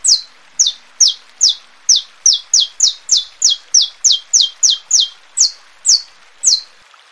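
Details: Extended saffron finch song of about eighteen sharp falling chirps, quickening in the middle and slowing to spaced notes at the end, used to excite birds and tutor chicks.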